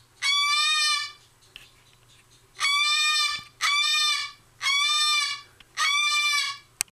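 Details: Cockatoo kept as a pet, screaming at length: five long, raucous, strained shrieks, each near a second, coming in an uneven rhythm with short quiet gaps and a sharp click at the very end.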